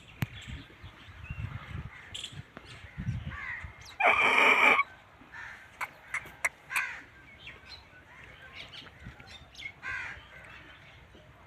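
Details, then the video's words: An Aseel rooster gives one short, hoarse, harsh crow lasting under a second, with faint small-bird chirps and light background noise before and after. "aseel rooster sound effect"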